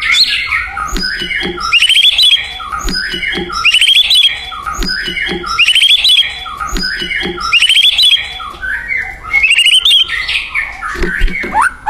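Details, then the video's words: White-rumped shama in the wild in lively song: a bright, rising trilled phrase repeats about every two seconds, each one set among lower whistles and soft chattering notes. "SUARA UNIT MURAI BATU GACOR DI ALAM LIAR"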